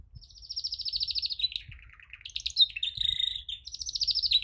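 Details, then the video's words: Training song of a canary: a high rapid trill, a dip into a lower rolling phrase, then bright chirped notes and another fast high trill, clean with little background. "Canary Singing Training"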